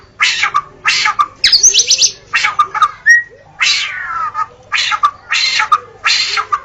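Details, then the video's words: Forest song of a white-rumped shama made of harsh, rasping bursts repeated about every half second, mixed with a few thin whistles and a short high trill. "Murai Batu Auto Gacor: Simak Suara Asli di Hutan yang Memikat"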